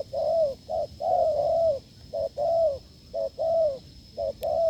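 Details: Strong cooing from a wild field spotted dove encountered while testing a decoy: rapid low double coos, short then long and falling, nearly one per second, with a persistent high-pitched hum.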